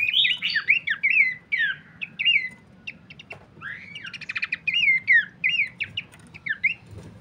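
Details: Horsfield's babbler as a lure and master for training birds: tumbling slurred whistles, then a rapid buzzy trill, followed by more falling whistled notes amid a faint low rumble.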